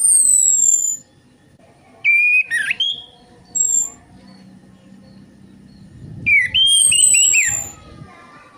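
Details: Orange-headed thrush song played to coax singing: a high descending whistle, then choppy slurred notes and, after a pause, a busier warbled phrase with some low background rumble.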